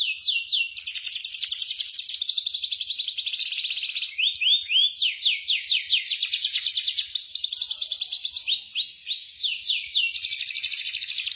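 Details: Canary rolling song used as a prompt for a silent bird: long sustained fast trills of repeated notes, broken by short runs of rising sweeping whistles, sung continuously.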